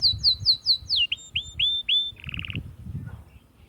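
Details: Atlantic canary singing to stimulate females for mating: a run of quick descending whistles, then several rising slurred notes, ending in a fast buzzy trill before quiet.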